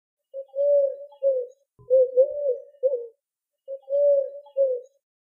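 Eurasian collared dove giving three soft, hollow three-note coos, the middle note longest, repeated about every two seconds, with a faint low thump in between.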